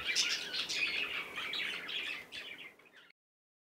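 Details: Young cockatiel playing, giving soft high chirps and twitters that fade out after about three seconds, followed by silence.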